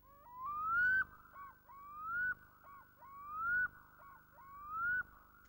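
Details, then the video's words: Black-throated diver (loon) territorial calls, evocative of summer evenings by Scottish lochs: desolate, ringing, curlew-like rising wails, each climbing then breaking off, repeated about every 1.5 seconds; clear and uncluttered. "desolate, ringing, rather curlew-like territorial calls of black-throated divers are so evocative of summer evenings beside Scottish lochs."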